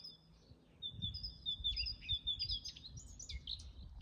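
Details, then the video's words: Eurasian blackcap singing its best in a natural garden, pouring out a fast, varied warble of high whistles and chattering notes, with a great tit's clear two-note phrases mixed in over low background rumble. "Eine Mönchsgrasmücke gibt ihr Bestes (unüberhörbar singt auch eine Kohlmeise)"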